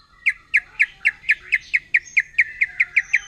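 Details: Forest white-rumped shama, wild, firing off its provocative 'nembak' song: clear, sharp, downslurred chips repeated steadily about four times a second, with faint thin background tones.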